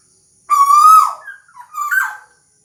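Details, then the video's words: One long, strong whistled note from a tuwu bird that rises gently and falls at its end. A softer, wavering double note follows after a short pause. "Suara Burung Tuwu Mantap Gacor Merdu"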